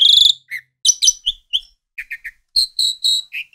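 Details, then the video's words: Asian pied starling kept at home, giving loud, varied song: a bright whistled opening note, then a scattered run of short chirps, slurred whistles and clipped notes with brief pauses between. "SUARA BURUNG JALAK SUREN | UREN"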